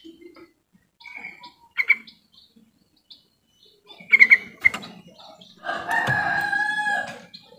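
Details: Yellow-vented bulbul, call used to prompt silent birds to sing: scattered chirps, then a rapid bubbly burst of ringing notes, followed by a louder, harsher, drawn-out rasping sound near the end.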